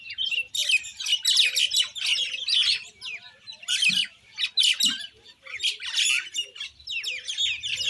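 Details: Common Indian myna giving loud, scratchy chattering calls with sharp squawks and piping whistles in quick, overlapping bursts, with a short lull just after five seconds.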